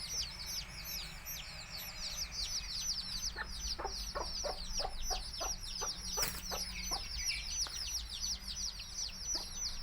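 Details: Baby chicks of a native village chicken flock, Tamil Nadu, chirping in a dense chorus of high, downward-sliding peeps, with a run of sharp low clicks or clucks through the middle and steady low background hum.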